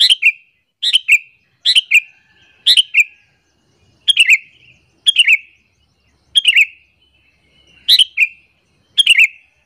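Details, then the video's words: Sooty-headed bulbul calls used to lure other bulbuls and make them angry: short chattering notes with a bright two-part phrase, repeated roughly every second in a steady series with brief gaps. "AMPUH BANGET suara panggilan burung kutilang alasan untuk pikat"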